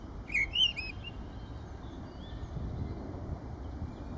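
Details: Spring song of a Mistle Thrush in Kensington Gardens, 7 April 2017: a single brief phrase of clear, fluty warbled notes, followed by quiet with a distant low hum.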